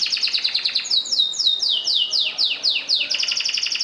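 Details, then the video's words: Canaries singing: a fast run of high repeated notes, then a series of slurred downward-sweeping whistles about three per second, returning to rapid bright trilled notes at the end. "كنارات تغرد"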